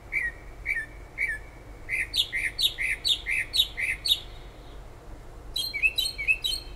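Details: Night-singing bird near a kitchen window in Toms River, New Jersey, five miles from the coast: three separate chirps, then a quick run of about eight rising-and-falling whistled notes, ending with a busy burst of higher notes; background hum.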